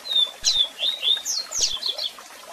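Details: Double-collared seedeater giving a strong, varied song for song training: clear whistled notes near one pitch alternate with quick rising and falling sweeps and sharp chips, over a steady rushing waterfall hiss.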